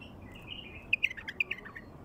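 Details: Song of a wild bulbul: a fast run of clear, chirpy whistled notes that step up and down, lasting about a second against faint background hiss.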